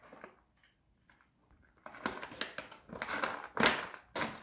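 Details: Indoors, near-silence gives way to repeated crinkling, rustling and handling noises, with no calls heard.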